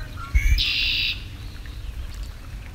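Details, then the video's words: A Red-winged Blackbird song, associated with spring: a few quick clipped introductory notes, then a harsh, buzzy trill lasting about half a second, over a low rumble of background noise. "redwing blackbird call always reminds me of spring"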